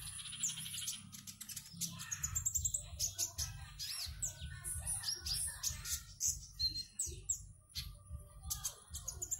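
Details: Singkawang, West Kalimantan: a caged konin sings for an online contest in lively bursts of high twittering, buzzy trills and crisp chips, loud and varied, over a pulsing low background hum.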